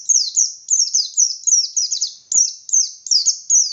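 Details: Caged white-eye with open beak giving full ngalas song to provoke rival white-eyes, continuous rapid high-pitched chirps, each sliding sharply down, evenly spaced and uninterrupted.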